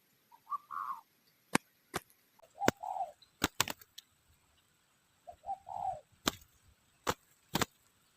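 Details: Spotted dove in a bird-luring setting giving three low, mellow cooing phrases about two and a half seconds apart, each a short note followed by a longer rolling coo, among sharp loud clicks and knocks.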